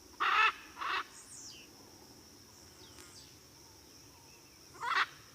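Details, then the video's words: Harsh, rasping squawks of a blue-and-yellow macaw: two in quick succession at the start, then a long quiet gap with a faint steady whine, and a single squawk at the end. "Ara Ararauna's Melodic Calls"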